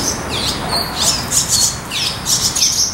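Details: High, thin chirps from a nest full of Barn Swallow chicks eager for food, in quick bursts of sharp downward-slurred notes, several calling together in a quiet background.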